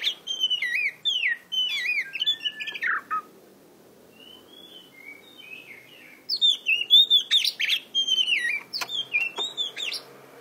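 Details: An Oriental magpie-robin (Copsychus saularis) in Indonesia sings rich, varied whistled phrases with sweeping rising and falling notes, bursts pausing briefly before resuming; little else is heard.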